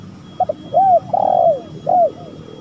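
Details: Low, mellow spotted dove phrase used as a lure: two short taps of sound, an arched coo, a sustained trembling croon, and a final curved coo trailing off into quiet.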